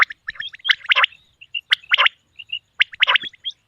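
A male common quail gives clusters of sharp, liquid, gurgling notes about once a second, with soft whistled notes between the bursts.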